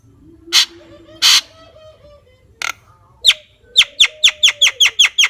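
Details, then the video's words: Javan myna song: two harsh, broadband bursts, then a run of sharp, repeated notes that speed up toward the end, over a faint low hum. "Suara Burung Jalak Kebo"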